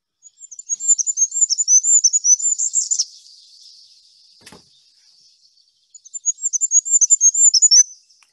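Goldcrest song: very high, thin, rapidly repeated see-saw notes running for about three seconds, a pause, then a second phrase.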